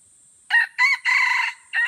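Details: Red junglefowl from Aceh crowing in a crowing contest at Kuta Malaka, Indonesia: a loud, harsh four-part crow, two short notes, a longer held middle note, then a brief clipped ending, over a steady high insect hum.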